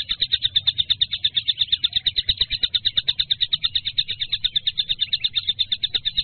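A kingfisher gives a long, unbroken series of sharp, high chattering notes, about six or seven a second, steady in pitch. Faint low background rumble.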